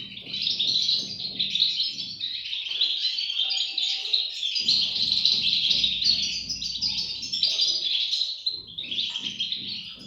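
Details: European goldfinch chicks calling: a dense, shrill chorus of high overlapping chirps and buzzy twitters, almost unbroken across ten seconds, easing briefly near the end, over a faint low hum.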